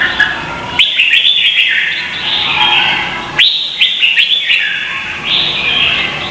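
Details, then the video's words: Red-whiskered bulbul in Vietnam, contest song used to stimulate other birds to sing: three lively phrases of sharp whistled notes, each opening with an upward sweep, about every two and a half seconds. "Chào mào hót đấu"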